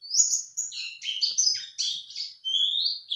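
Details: Answering a lure call, a male white-eye gives a short high warble of slurred whistles and chattering notes, ending in a long rising whistled sweep.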